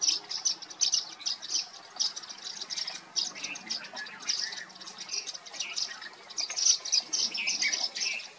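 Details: At Daroji Nature Camp near Hampi, Karnataka, India, in November 2023, Indian silverbills give a steady chatter of thin, high chips and tinkling notes, several birds calling over one another with barely a pause.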